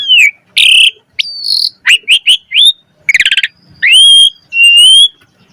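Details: Black-collared starling lure song, used to coax other starlings into rich singing. Loud separate phrases: harsh chirps, a quick stuttering rattle, then two long rising clear whistles near the end.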